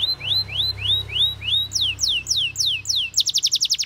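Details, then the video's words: Canary song: slow upward-sweeping whistles, then descending slurred notes, closing in a fast trill; a low hum runs underneath. "Canary Singing Bird Sounds"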